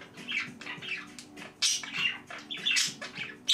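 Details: Pet budgerigars indoors, loud and excited: rapid squawky chirps, scratchy warbles and chattering notes several per second, uneven in loudness, with a faint low hum in the room.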